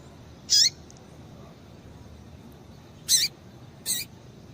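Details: Calling female coleiro tui tui (rusty-collared seedeater) used to make males sing: a sharp high chirp with falling tail, a pause of over two seconds, then two more chirps close together.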